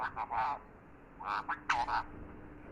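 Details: Talking parrot, called mitthu or tota, uttering a few short harsh speech-like syllables in two bursts over steady background hiss.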